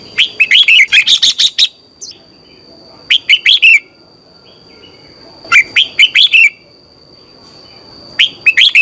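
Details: Red-whiskered bulbul singing in the morning for training: a rapid run of about nine clipped whistled notes, then shorter four-note phrases roughly every two and a half seconds, bright and chirpy, with a faint constant whine.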